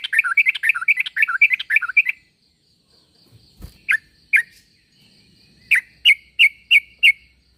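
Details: Yellow-vented bulbul call to prompt replies from others: a rapid, dense chatter of warbled notes for two seconds, silence with a low thud, then spaced bright chirps in a short series.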